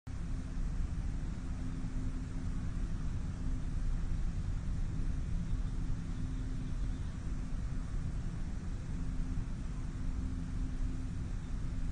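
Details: Steady low traffic rumble with a constant hum fills the recording, and no animal calls stand out.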